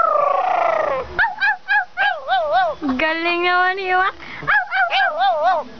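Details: Crow kept as a pet, talking to its owner: short wobbling tonal syllables repeated, a sustained buzzy rippling note in the middle, then more quavering voice-like phrases.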